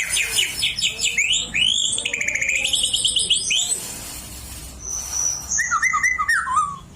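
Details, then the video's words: Oriental magpie-robin that picked up white-rumped shama song as a youngster, delivering rapid trills, looping rolled whistles, a sustained high pure whistle, then descending slurred notes, over a low continuous hum. "Kacer gacor ngeplong isi an murai"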